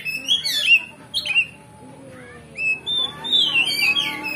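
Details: Oriental magpie-robin song played to stir up a rival's fighting spirit: harsh, scratchy squawk notes, a pause, then long sweet whistles rising and falling into a fast warbled phrase.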